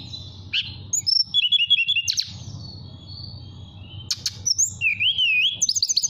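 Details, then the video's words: A caged mountain tailorbird from Purworejo, Central Java, calling a female with flute-like song: high sliding whistles, runs of quick repeated chirps, and a wavering warbled whistle near the end. "Tledekan Gunung Gacor Nyuling Panggil Betina"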